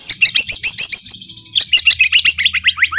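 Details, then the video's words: Kretekan singing by a white-rumped shama, used to provoke other birds, recorded 24 January 2023: two bursts of fast high chattering and upslurred whistles separated by a short pause. "kretekan murai batu pastol gacor full tembakan.efektif pancing emosi"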